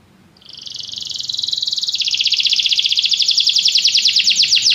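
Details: Canary singing a fast, high rolling trill that begins softly and steadily builds in volume, pulses tightly repeated and dropping a little in pitch midway.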